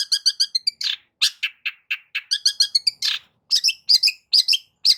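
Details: Long-tailed shrike singing, meant to coax a quiet shrike into song: a fast jumble of high chirps, rapid stuttered note runs and scratchy notes, with brief pauses between phrases.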